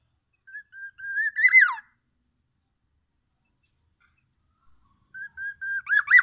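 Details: Black-naped oriole from Sumatra mimicking oriental magpie-robin: two phrases, each of several clear level whistles followed by a rough, warbled, descending flourish, with a long silent gap between phrases.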